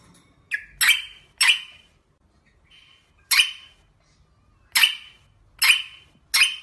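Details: Rosella calling: sharp, harsh bursts with a short ringing whistle inside each, given in irregular pairs and singles with quiet gaps between them.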